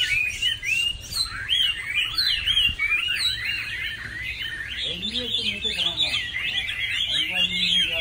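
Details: Lunar New Year's Eve song of a Chinese hwamei: energetic, varied whistled phrases with rapid slurs and trills running continuously, while a person's voice briefly murmurs underneath midway and near the end.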